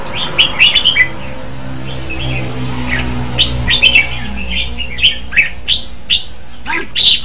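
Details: Red-whiskered bulbul delivering short whistled, slurred phrases every half second or so, spread across the clip, over a steady low humming background.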